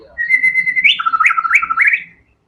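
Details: White-rumped shama singing hard in fighter style: an even sustained whistle, then a lower wavering trill punctuated by quick upward flicks, closing with short rising notes.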